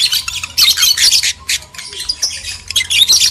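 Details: Lovebird pair, male and female, with loud harsh squawking chatter for breeding arousal, broad raspy bursts separated by brief pauses.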